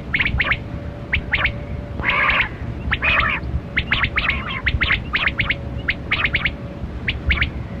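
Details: Kali Kirak quail, filmed during a quail hunt, giving rapid short clipped notes in quick irregular bursts of two to four, overlapping like several birds; a steady low hum runs underneath throughout.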